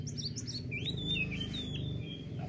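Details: Oriental magpie-robin singing persistently as if seeking a rival to challenge: a run of quick high chirped notes, then sliding whistled phrases, over a steady low hum.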